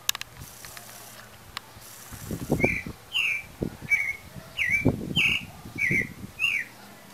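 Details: Pale-breasted thrush song near breeding time: clear whistled phrases every second or so, mixed with low knocking and rustling handling noise underneath.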